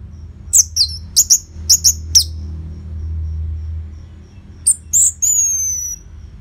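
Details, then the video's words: Orange-headed thrush singing to stimulate caged birds: a paced series of paired sharp high chirps, a pause, then clear thin whistles sliding downward; noticeable low humming in the background. "Pancingan & Masteran ANIS MERAH Gacor Jeda Rapet Suara Keras || Burung Macet Pasti Ikutan Bunyi."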